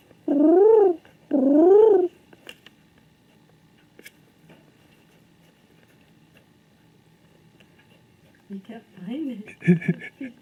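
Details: A male king pigeon searching indoors for another pigeon: two strong, vibrating coos rising then dropping, followed by a long quiet stretch and some muddled lower calls and rustling near the end.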